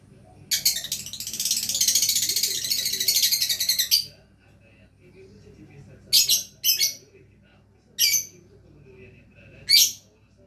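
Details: Lovebird in a sustained three-second stream of dense, shrill twittering, followed by several short sharp chirp bursts spaced out over the following seconds.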